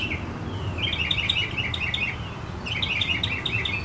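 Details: Northern mockingbird near the start of summer, shortly before the solstice, giving a short, jumbled warbling phrase of bright twittering notes, a pause, then a similar phrase, over low rumbling background noise.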